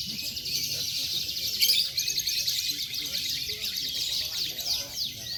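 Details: Canary singing at a songbird contest in the national canary class, where it took first place: a continuous, high, rapid chattering trill of twittering and sliding notes, with murmuring voices of people in the background.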